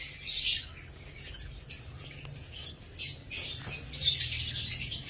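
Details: Pet lovebirds giving short high chirps and squeaky twitters in scattered bursts, with a low steady hum underneath.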